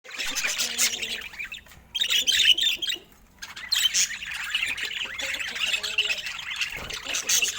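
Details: Pet budgerigars in affectionate love moments, giving dense, continuous high chattering: squawky chirps and rapid warbled twitters layered together, briefly dropping out near the three-second mark before resuming just as busily.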